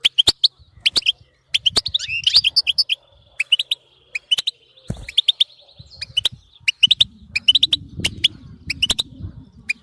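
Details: Extended European goldfinch 'batbata' twittering, used to keep a goldfinch singing: bursts of sharp high tweets and short trills, a faint held tone mid-phrase, low hum rising toward the end.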